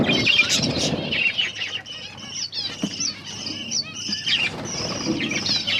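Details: Captive finches chirping while eating egg food, their favourite, in October; thin high chirps and short trills repeat several times a second over soft fluttering, clicking and feeding noise.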